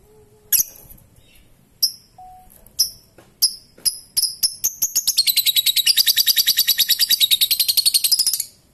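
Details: Lovebird in long ngekek song: spaced, sharp ticking chirps that come faster and faster, then merge into a continuous rattling trill of rapid, harsh, high notes lasting over three seconds before stopping abruptly.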